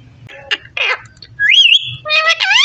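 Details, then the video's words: Parrot talking in a quiet room, mixing short buzzy and scratchy syllables with a bright whistle that rises and wobbles, then ends in loud nasal harmonic calls. "So sweet parrot talking"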